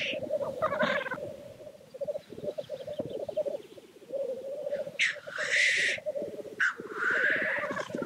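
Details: Black grouse; lekking display; courtship display at the lek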